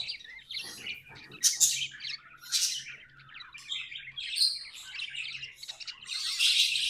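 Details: Budgerigars kept as pets chatter in a varied, rambling warble of quick whistled chirps, buzzy notes and squeaks, with a steady low hum in the background.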